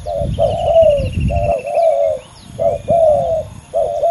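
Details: Two male spotted doves compete fiercely in a ground contest. Low coos run in short notes and long, slurred, falling notes. A thin high twitter runs behind them, with low rumbling noise early on.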